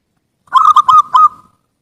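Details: Lure recording of a zebra dove singing: four quick, throaty cooing notes at a steady mid pitch, the second and third brief, ending in a drawn-out quieter tail; otherwise clean and silent.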